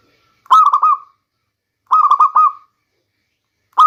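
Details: Lure recording of a local zebra dove for the rainy season: two rolling coo phrases of rapid, clipped, bubbling notes, each trailing off, with the start of a third phrase at the end.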